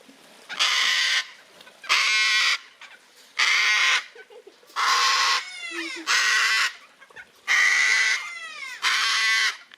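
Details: A gang-gang cockatoo at Palmitos Park, Gran Canaria, Canary Islands, gives seven harsh, grating, creaky screeches, each about half a second long, repeated roughly every one and a half seconds.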